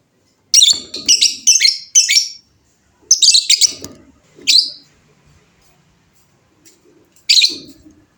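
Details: Kept fighter lovebird singing 'ngekek panjang' chatter: a run of four quick, shrill, rasping bursts, then two more after a pause and a last one near the end. Faint low thumps sit under the calls.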